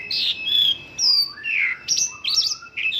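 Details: Mongolian lark with an 'isian lokalan' song of local bird phrases: a few seconds of clear whistles sliding up and down, a short buzzy note and quick chirped twists, each phrase distinct and separated by brief pauses.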